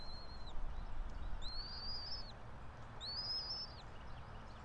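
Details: Bald eagle pair at their nest atop a pine tree about 90 feet up in Johnson City, Tennessee, nest camera, 04.03.2024 at 06:28: three thin, high, drawn-out whistles, each gently arched then falling, over a low steady rumble.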